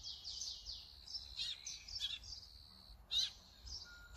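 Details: Brown-eared bulbul recorded with a Sony camera and 200-600mm lens: a run of shrill downslurred notes followed by scattered squeaks, harsher chips and one loud sharp burst.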